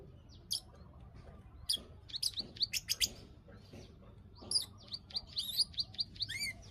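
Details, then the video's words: Bar-winged prinia klik klik call played as a lure to trigger breeding condition: loud bursts of piercing clicks and chirps in clusters, separated by short pauses, with faint low background hum. "pancingan burung klik klik agar birahi"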